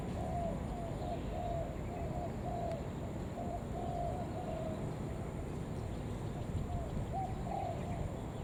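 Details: Spotted dove lure call used to summon other doves: a steady run of soft hollow coos, evenly repeated across the recording, over persistent low rumbling noise.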